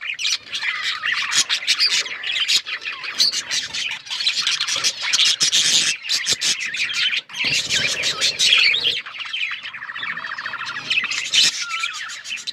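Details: Extended mating song of a male budgie: restless chattering warble of scratchy squawks and quick chirps, with a short pause midway before the twittering resumes, ending in a rolling trill-like phrase.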